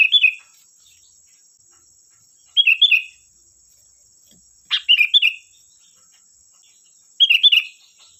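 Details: Sooty-headed bulbul lure song for coaxing other bulbuls to respond: short clear whistled phrases of three or four bubbling notes, given about every two and a half seconds against a quiet background with a faint high hum.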